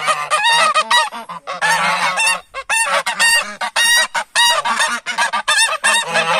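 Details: Several geese honk loudly and almost without pause as humans approach them, harsh nasal calls overlapping in quick bursts, with no other sounds.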